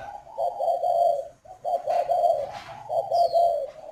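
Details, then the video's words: Spotted dove kept at a breeding farm in Ba Vì, Hanoi, Vietnam, cooing in the northern 'khách' style: three low, throaty, rolling coo phrases, each a rapid series of soft notes, separated by brief pauses. "chim cu gáy KHÁCH hay miền bắc"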